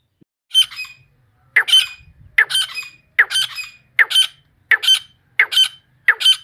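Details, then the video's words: Wild female grey francolin giving loud, harsh two-part calls, each a rasping squawk followed by a ringing higher note, repeated steadily about once every three quarters of a second, eight in a row in a quiet setting. "Jangli female tetar ke mastii azwaz"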